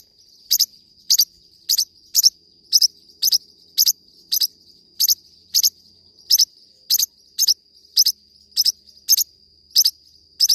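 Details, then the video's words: Forpus parrotlet singing a steady run of about twenty sharp high chirps, evenly repeated roughly every half second, with a faint continuous high whine behind. "forpus bird singing"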